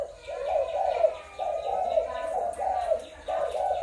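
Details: Spotted doves of Malaysian, Thai and Cambodian stock, recorded 21 November 2022: low hollow coos in mid pitch, uttered in linked phrases of rolling notes roughly every second, with a faint background hum.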